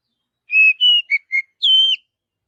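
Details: Oriental magpie-robin forest song, a crisp whistled phrase of two sustained notes, two brief lower chips and a final long high whistle, against silence.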